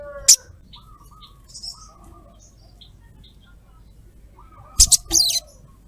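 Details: A female sogok ontong calls for a male: a single sharp high chirp, then a harsh scratchy cluster of chirps near the end, with faint steady whistles from other birds in between.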